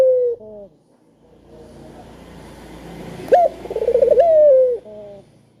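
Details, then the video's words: A spotted dove's call meant to coax lazy doves into calling, heard over a steady low rumbling background: a soft short coo, then a bright rising note leading into a rapid wavering trill and a long falling glide. "Burung Puter Gacor Suara Merdu,Tajam Cocok Buat Pancingan Yang Pemalas Bunyi"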